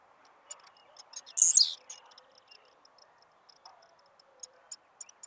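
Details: Blue-black grassquit held on the hand, singing in top form: one brief, very high buzzy phrase that drops in pitch, surrounded by faint high ticking notes and low room noise.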